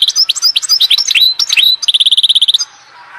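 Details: Singing European goldfinch from Oued Zhour, Skikda: a lively jumble of bright, up-and-down slurred chirps, then a steady rattle of about fifteen rapid high ticks before the song stops into near silence.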